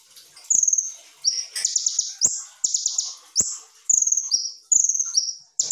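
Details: Caged Van Hasselt's sunbird (kolibri ninja) in rapid-fire 'full tembakan' song, used as a tutor recording: high, thin, buzzy bursts alternating with brief whistled slurs, delivered in quick succession with short pauses between phrases.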